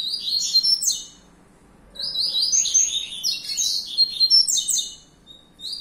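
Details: Young captive-bred male double-collared seedeater, kept for breeding and fibra song competition, sings rapid high twittering phrases with buzzy slurred notes for about a second, pauses, then a longer jumbled burst; faint low hum underneath.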